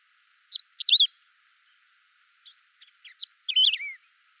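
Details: Saffron finch song, original bird sound with no effects added: a lone chirp, a loud rapid twittering phrase, scattered short notes, then another bright phrase ending in a falling slurred whistle.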